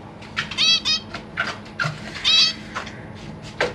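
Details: Caged zebra finches, parents busy feeding their newly hatched young with three older juveniles nearby, recorded 3 March 2023; short nasal honking beeps given singly and in pairs, irregularly spaced, with soft clicks between.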